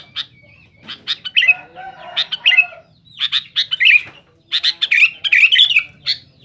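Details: Sooty-headed bulbul in full rival-challenging song: sharp chirps interleaved with bubbling slurred whistles, delivered in irregular clusters with brief silences between.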